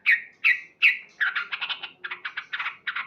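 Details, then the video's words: Morning song of a male Sooty-headed bulbul, three loud whistled downslurred notes followed by fast buzzy chattering phrases. "Terapi Burung Trucuk Gacor"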